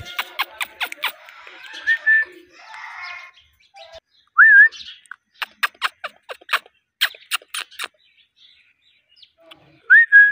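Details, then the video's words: Pet Indian ringneck parakeet mixing rapid clicking chatter bursts, harsh scratchy notes and a few clear rising whistles with a short upturned end. The calls come in irregular bouts separated by brief pauses indoors. "Indian ringneck parrot natural sounds & voice Mithu ki awaz"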